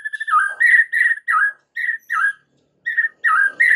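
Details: White-rumped shama singing as a lure to draw other shamas into song: clear, mid-pitched whistled notes, several dipping downward, delivered in short bursts with brief pauses between them.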